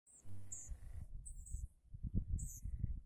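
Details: Yellowhammer being fed by fishermen with fish bait, 18 June 2018: three short, high, thin call notes spaced about a second apart over heavy low rumbling background noise.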